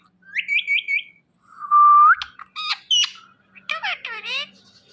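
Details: Indian ringneck parakeet, a talking pet, gives a trilled triple chirp, a smooth rising whistle, sharp clicks, then rapid nasal chattering phrases.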